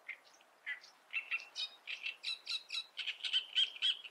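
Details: Great reed warbler (Acrocephalus arundinaceus) in song, loud and close: harsh, chattering syllables repeated roughly four per second, growing steadily denser and ending in a run of squeaky, grating notes.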